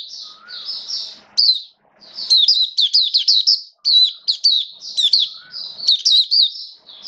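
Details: Caged Oriental white-eye, a hobby songbird, recorded in wet rainy weather on 29 September 2022, singing high, quick warbled phrases of rapid up-and-down notes in bursts separated by short pauses, with a few softer lower whistles between.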